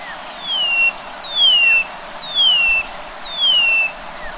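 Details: White-bellied seedeater delivering a steady series of four mournful descending whistles, roughly one per second, each a clean downward slide, set against a continuous shrill background drone.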